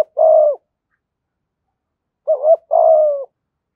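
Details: Spotted dove cooing in the thổ voice with gù thúc phrasing, played to lure wild doves to the decoy: one low hollow coo, a pause of nearly two seconds, then a short double note and a longer drawn coo.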